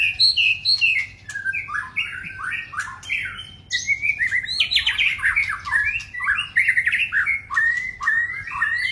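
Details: Male white-rumped shama pouring out a long run of rapid, varied whistled notes and chattering phrases, steadily loud with few pauses.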